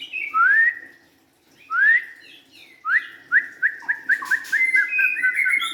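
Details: White-rumped shama, a young forest-caught bird, singing loud clear whistled notes: two long rising slurs about a second apart, then a rapid run of short bright whistles and trills; a low steady hum underneath.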